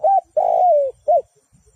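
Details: One coo phrase from a spotted dove used as a decoy in bird trapping: a short arched note, a long steady coo sliding down at the end, then a final brief arched note.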